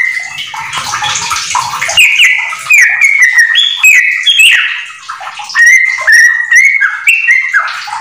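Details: Household yellow-vented bulbul pouring out a fast ropel song with magpie-robin filler: a hissy burst at first, then a steady flow of crisp whistled slurs and chips for several seconds.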